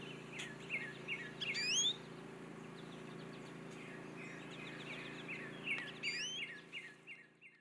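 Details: Singing American goldfinch in an Eastern Red Bud tree: quick bursts of high twittering and sweeping warbled notes early and again near six seconds, with softer chips between and a steady low hum in the background.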